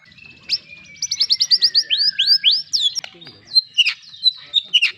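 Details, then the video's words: White-rumped shama song opening with a long thin whistle beneath a rapid series of high downslurred notes, followed by sharp varied chips. "suara kicau murai batu"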